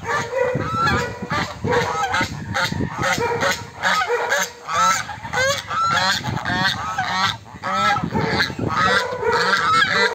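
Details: A flock of swan geese giving loud, nasal honks that overlap almost continuously, with rapid, harsh, repeated notes from several birds at once.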